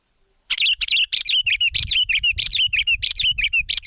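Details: Sooty-headed bulbul (kutilang) sunbathing in the morning, apparently kept in an aviary: after half a second of quiet, a fast string of bright, high, chirpy notes, each with a short downslurred whistle, about four per second without pause.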